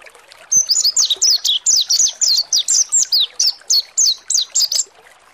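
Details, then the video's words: Mountain white-eye, a caged bird, sung to provoke it into singing; a fast run of high, thin, sliding whistled notes, about four per second, sustained for nearly five seconds. "PANCINGAN PLECI MONTY NGALAS BUKA PARUH || PANCINGAN PLECI MONTY AGAR EMOSI || PLECI MONTY NGALAS"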